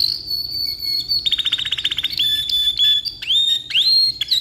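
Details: Long tutoring song from a black-red rolling canary: a sustained high whistle breaks into a rapid rattling trill, followed by level whistles and sharp upswept notes.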